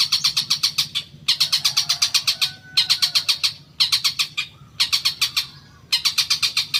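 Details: Long-tailed shrike song used to provoke caged birds: bursts of about eight fast, harsh notes separated by short pauses, repeated roughly every second, over a low steady rumble.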